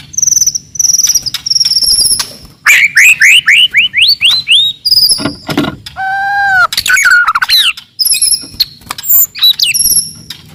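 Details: Loud, aggressive song of a wild forest white-rumped shama to rile rivals: thin high whistles, a quick series of rising slurred notes, a rapid rattle and low clear whistles.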